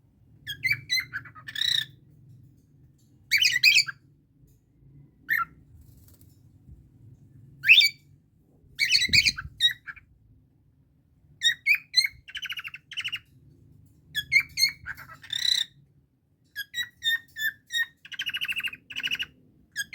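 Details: Harsh, scratchy squawks and sharp chirps of a pet Indian ringneck parakeet bonding with cockatiel companions, given in short bursts with pauses.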